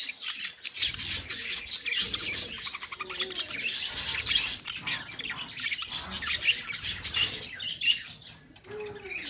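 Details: Budgerigars calling together in a colony: a dense, continuous mass of high chirps, twitters and warbles from many birds, with no pauses and steady loudness throughout.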